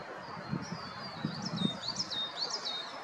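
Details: European robin singing thin, high warbled phrases in short sliding notes, fairly faint above low rumbling background noise with a few soft thumps.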